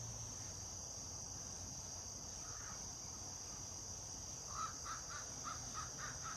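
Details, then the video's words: Crow in a backyard, with a woodpecker nearby, makes odd talking-like sounds: one short call, then a quick run of about seven clipped, nasal notes near the end, under constant shrill insect noise. "odd crow sounds"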